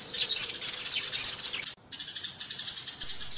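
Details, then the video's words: Sparrows call and fight in loud overlapping high chirps. There is a sudden short silence partway through, then the chattering resumes. "Tiếng Chim Sẻ Gọi Về Và Nhảy - Tiếng Sẻ Cắn Nhau"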